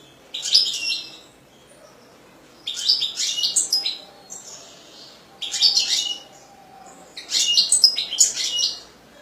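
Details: European goldfinch singing in four bursts of rapid, bright twittering and tinkling notes, each lasting about a second or more, separated by short quiet gaps.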